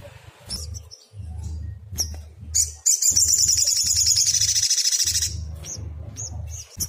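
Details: Brown-throated Sunbird in agitated song meant to draw an answer from other sunbirds: a few thin high chips, then a sustained rapid shrill trill of about two seconds, then more isolated chips, with a low background hum.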